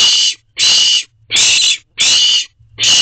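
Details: Owlets in a nest box at 10:36 pm, June 2023: loud hoarse hisses in a fast, even rhythm, each about half a second long, five in three seconds.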